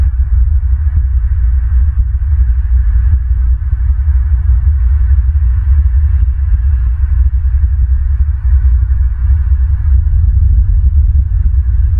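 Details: Steady deep rumble and electrical hum throughout, with no animal calls heard.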